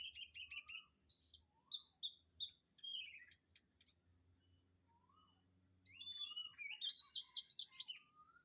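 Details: Several birds sing in the morning at Kamphaeng Saen. Quick chirp bursts and a falling whistled slur give way to a pause, then a dense chorus of bright, rising twitters returns, with a constant shrill hum behind.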